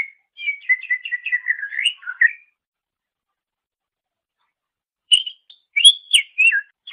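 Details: Greater green leafbird song from a master recording for training cage birds: a rapid string of repeated chirping notes ending in a falling slur, then silence, then a burst of loud whistled phrases.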